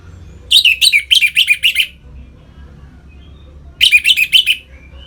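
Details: An Orange-headed thrush sings ngeplong song meant to provoke captive birds into breeding mood: two bursts of about six quick, loud, downslurred chirps each, separated by roughly two seconds of quiet.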